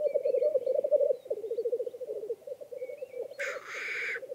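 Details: Black grouse males lekking on a mire in Swedish woods, early spring morning, give a continuous low bubbling, cooing roll, then a harsh rushing hiss; faint high whistles from other birds in background.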